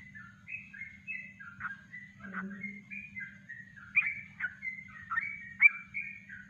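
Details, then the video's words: Yellow-vented bulbul in natural kongslet-style song for a training master: gentle, slurred whistled phrases with occasional sharp accented notes, moderately loud, with a constant low hum beneath. "Masteran Trucuk Kongslet Alami"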